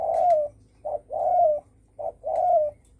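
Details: Spotted dove calling in the 'đồng thổ sấm' style to provoke other birds: two matching phrases, each a brief low hoot then a longer, smooth, slightly falling coo, close and clear.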